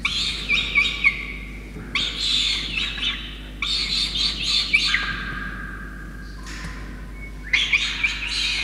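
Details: A peregrine falcon chick begs at its nest in Orange, NSW, Australia, 5 November 2021, while its wet parents bring a soaked starling. Bursts of rasping, buzzy cries, each a second or so long, come in quick series with brief silent gaps.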